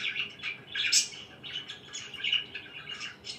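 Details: Pet budgerigars chirping in the morning: quick bright chirps and squawky notes in uneven bursts, with short louder peaks and brief lulls between phrases.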